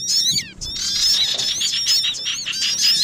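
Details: Sogon bird lure for trapping: smeared, continuous chatter of high wavering notes over a noisy, hissing background, with a few clearer downslurred whistles at the start.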